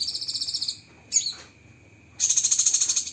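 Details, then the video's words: Cucak kinoi tutor song with sharp 'tembakan' shots: a high rapid trill, a short falling chip, a pause, then another fast pulsed trill of about a second, with a constant high hum behind. "Masteran Burung Cucak Kinoi Full Isian Tembakan Pedas"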